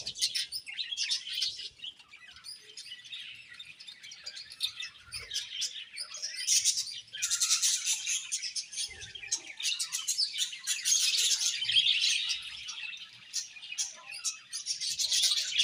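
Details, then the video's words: Colony of budgies keeping up a long, steady chorus of high twittering, clicking chirps and scratchy warbles, notes tumbling quickly over one another with occasional louder surges and faint rustles. "Beautiful Budgies Chirping Sounds"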